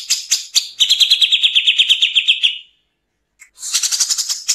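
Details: Harsh 'nembak kasar' song of a Grey-cheeked bulbul, recorded with pauses as a training lure for kept songbirds: a run of quick scratchy pulses lasting about two seconds, a short silence with one faint note, then a renewed fast raspy chatter.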